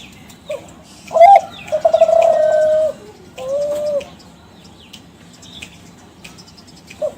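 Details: Spotted dove of the Kelantan strain, a young bird from champion stock played as a calling lure: a loud wavering trilled coo runs into a long steady tone, then a second, softer coo and a short closing note, with scattered bird chirps.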